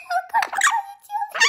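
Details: Captive Cuban amazon complaining after being moved from its cage onto a bed. Steady thin tonal whines are broken by raspy, noisy squawk bursts, with a final harsh grumble at the end.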